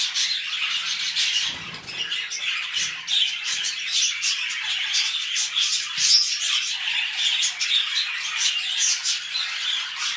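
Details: Mating pet budgies taking first steps toward a new clutch, filling the recording with a steady stream of high, scratchy warbles and quick chirps; a soft low thump near the second mark.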